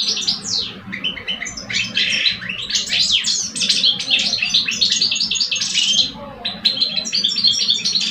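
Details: Singing contest between two caged male European goldfinches in Algeria, an old male and a two-year-old; dense, continuous, high twittering song with buzzy trills and liquid chirps, with a short pause near the sixth second, over a faint low hum.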